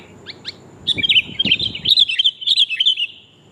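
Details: Sooty-headed bulbul female calling the male, a recording used to lure birds: a few thin separate notes, then a quick chattering run of bright, warbling chirps.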